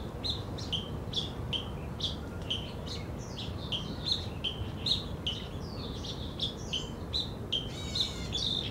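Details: Red-billed black bulbul calls in Zhiben Forest Recreation Area, Taitung, Taiwan, on 3 July 2013: short, nasal, chattering notes repeated about twice a second, with a steady low rumble of background noise.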